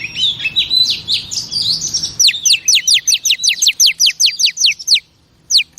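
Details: Female oriental magpie-robin, meant to excite caged males: a warbling, rising jumble of notes gives way to a steady series of high, downward-slurred whistles, roughly three per second, ending in brief silence.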